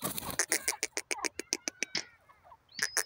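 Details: Female grey francolin calling. A rapid series of sharp, clicking notes repeated about three times a second, pausing briefly before resuming; a faint thin whistle is heard in the background.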